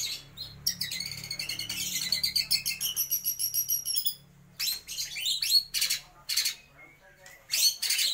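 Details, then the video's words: White-rumped shama song with imitations of lovebird, kapas tembak and pijantung gunung: a long rapid series of sharp, high, ringing notes for about three seconds, a brief silence, then scratchy bursts and whistled sweeps in separate spurts. "MURAI BATU GACOR || TEMBAKAN Love bird,kapas tembak dan pijantung gunung"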